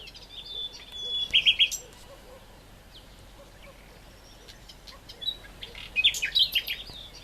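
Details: Great reed warbler singing in two short bursts of harsh, rapidly repeated notes, separated by a quiet stretch with faint background calls.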